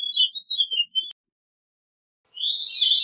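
Veery: a fluty, wavering phrase that swirls and slips downward, then a pause before a breezier, spiraling phrase begins. Nothing else is heard.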